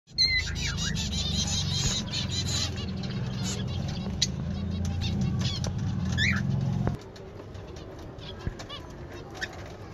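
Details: Zebra finch (Taeniopygia guttata), colony calls.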